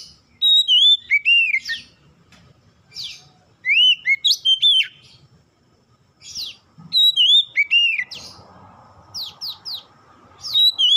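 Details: Magpie-robin song meant to trigger singing in other oriental magpie-robins; repeated bursts of loud, varied whistles, rising and falling slurs and sharp down-sweeps, with a soft buzzing hum late on.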